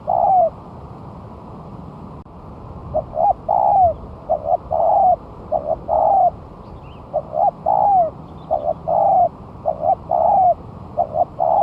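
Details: Spotted dove on the ground after one month of moulting, calling as a lure: a long run of three-note cooing phrases, two clipped notes then a drawn-out falling coo, steadily repeated with short gaps over soft background noise.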